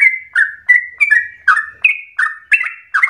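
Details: Yellow-vented bulbul singing, used as a lure to get other bulbuls singing with long, rapid phrases. Bubbly, slurred notes fall and rise in quick chattering bursts, about three per second, with no other sounds.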